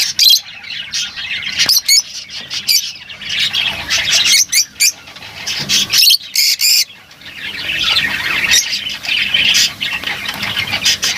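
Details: Group of lovebirds giving repeated shrill squawks and scratchy chatter in irregular loud bursts with short gaps, a dense high-pitched din throughout, occasional faint wing flutter.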